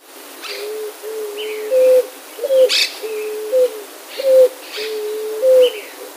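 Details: A West Peruvian dove (Zenaida meloda), a seed- and fruit-eating species resident in Peru and Chile, sings a run of low, hollow hooting coos, some drawn out and others rising at the end, with faint chirps from other birds behind.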